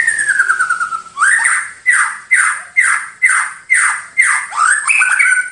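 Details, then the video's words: White-rumped shama song recorded as a master for training birds. A long descending whistle leads into a rhythmic series of loud, swooping notes, repeated roughly every half second. "Masteran Terbaik Murai Batu"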